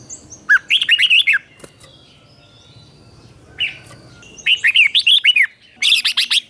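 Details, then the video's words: Red-whiskered bulbul teacher song for training birds, doubled and clear. Lively phrases of looping, chattering whistles come in three bursts, each a quick string of five or six notes, with a short pause between. "เสียงนกกรงหัวจุก | เสียงนกครู เบิ้ลหลัก1000000 เสียงชัดเจนสำนวนเพราะ ฝึกนกติดง่าย"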